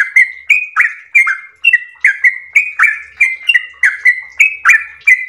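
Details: Long melodious 'ropel' singing of a yellow-vented bulbul: fast bubbling notes, each a sharp tick falling into a short flat whistle, rolling on evenly about three a second.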